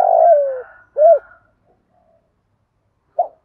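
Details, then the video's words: Spotted dove calling in the thổ pha gù thúc style, used to train other doves: one low phrase of a long falling coo then a short rounded note, silence, and a single brief coo at the end. "cu gáy giọng thổ pha gù thúc Kèm gáy gọi nhiều"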